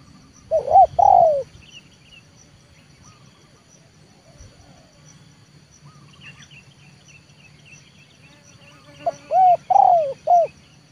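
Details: 'Leopard' spotted dove trained as a lure, calling to bring wild doves down to the yard. A cooing phrase opens, then several seconds of faint chirps and murmur, then a four-note phrase of short and drawn-out mellow coos.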